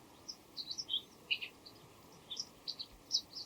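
White wagtail giving sharp, high chirps in quick pairs and triplets, scattered irregularly across a few seconds over a faint background hiss.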